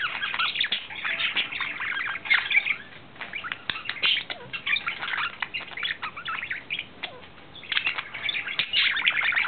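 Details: In April 2009 a male budgerigar in love sings to court, giving an unbroken stream of gravelly chirps, ticking clicks and thin whistles, slightly softer in the middle before swelling again.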